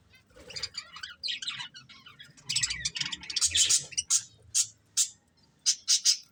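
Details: Chirping from a breeding pair of budgies, scratchy warbled chatter building in loudness, ending in a series of separate bright, clipped high chirps.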